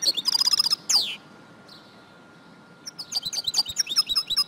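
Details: High, quick chirps of a female goldfinch, meant to stimulate males to sing, come in a fast run, then a downward-sliding note. A quieter gap follows before more rapid twittering, all over a constant hiss.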